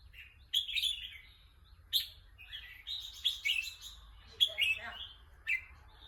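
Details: Eager to compete, a red-whiskered bulbul sings lively bubbling phrases of quick whistles and warbles, several overlapping bursts in the second half, with steady low hum underneath.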